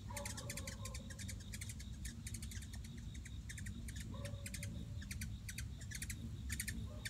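Hummingbirds give rapid bursts of high, sharp chips in quick clusters every second or so, over a steady low rumble and a faint humming tone.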